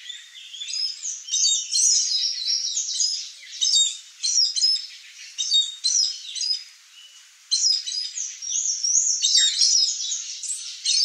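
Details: A pair of blue dacnis (Dacnis cayana), sharing fruit with bees, give thin, high chips and twittering notes in dense bursts, with a brief quieter pause near the middle.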